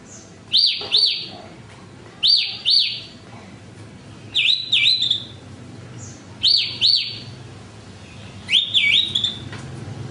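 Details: Horsfield's bush lark delivering paired arched whistles about every two seconds, five phrases in all, some pairs dipping instead of rising, clean and high-pitched.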